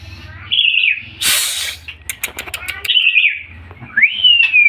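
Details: White-rumped shama singing actively: clear whistled phrases near the top of the range, one falling and one rising sharply then levelling, broken by a loud rushing noise burst and a run of sharp clicks, with low hum beneath.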